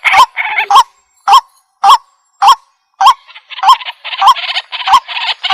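White-breasted waterhen giving loud, harsh croaking notes about twice a second, with raspy chattering filling the gaps later on.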